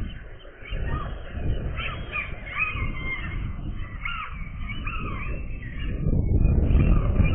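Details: Gull chicks on the day they first fly, with dense overlapping squealing and mewing calls that rise and fall, nearly continuous throughout, over a heavy low rumble of wind or handling noise.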